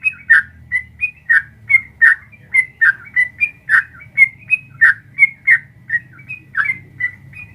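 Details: Sooty-headed bulbul, a prolonged 'ropel panjang' gacor song used to provoke caged birds into answering: fast series of short bubbly whistled notes around two kilohertz, alternating rising and falling, roughly three per second, with faint low hum beneath.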